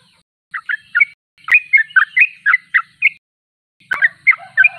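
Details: Vigorously singing sooty-headed bulbul giving short chattering phrases of slurred chirps, punctuated by two sharp clicks, with a faint low hum and a lower steady tone near the end.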